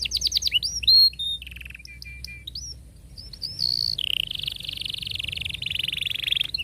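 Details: Canary song used to teach young canaries to sing: quick chirps and whistled notes, then a long fast buzzy rolling trill held for several seconds, over a low background hum.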